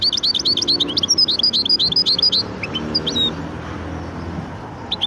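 A goldfinch × canary hybrid sings a fast run of high, twittering notes, then scattered chirps. Low room noise lies beneath.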